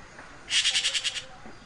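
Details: Red-billed blue magpie at its nest with chicks, giving a rapid harsh rattle of about seven evenly spaced, grating pulses over well under a second, against quiet background.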